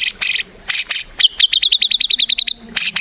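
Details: Prolific white-rumped shama song used to coax other shamas into singing: harsh rasping bursts, then a quick run of clear high repeated notes, ending with more buzzy calls.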